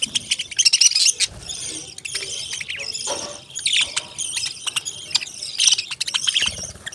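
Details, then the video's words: Flock of parrots making squeaky, high-pitched chirps and short squeals in irregular clusters, the chatter rising and falling throughout. "Beautiful Birds Cute Chirping Sounds"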